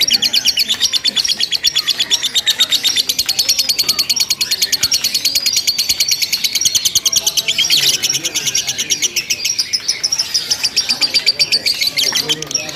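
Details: Lovebird in a simulated singing contest, chattering without pause over a long stretch: rapid, rattling high chatter repeated several times a second, continuous and dense throughout, with brief louder bursts.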